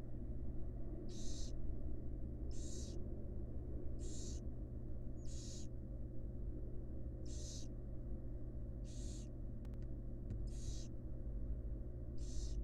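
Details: Fledgling barn owls being fed by their mother in a wild, research-monitored nest box; nine evenly spaced raspy hisses, one about every 1.5 seconds, over a continuous low electrical hum.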